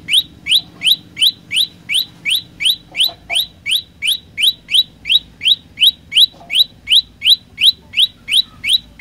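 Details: Energetic olive-backed tailorbird song: roughly 26 bright, rising notes given in an unbroken, regular run near three per second, with a faint low background drone and a brief soft knock midway.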